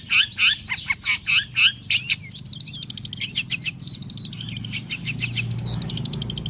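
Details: Long-tailed shrike sunbathing in the morning: loud, harsh, down-slurred notes repeated about six times in two seconds, then a rapid stream of high ticking notes over a low rumbling background.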